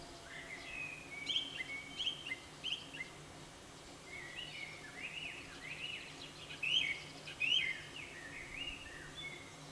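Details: A song thrush gives its morning song of loud, varied whistled and chirping phrases, some in quick repeats, over a steady low background hum.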